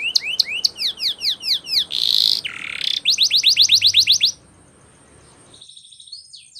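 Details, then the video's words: Canary training song: spaced sharp descending chips, a harsh broad buzz, a quick series of bright strokes, then quieter high thin trills and a slurred whistle. "Canary's Most powerfull Song For Training"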